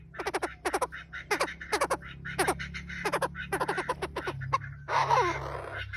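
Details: Chinese francolin pair, male and female, played as a lure for wild birds, giving a steady run of rasping, broadband note clusters repeated throughout, with a brief noisy rustle near the end.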